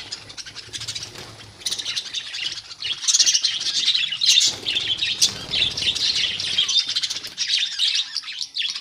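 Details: Continuous twittering of many budgies in a colony: buzzy, chirpy warbles crowd together, getting louder after the first couple of seconds and staying dense, with a soft low hum beneath.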